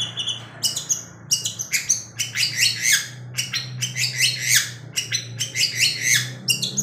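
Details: Night-time singing from a long-tailed shrike that keeps moving its tail: a dense, almost continuous chatter of scratchy, squeaky and whistled notes tumbling together, with a steady low hum beneath.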